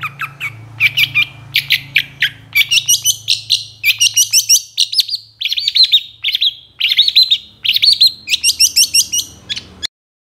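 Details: Long-tailed shrike song used as a lure to make lazy shrikes reply and sing: a long varied run of sharp high chirps, trills and short buzzy phrases, loud and continuous, with a faint low hum early on.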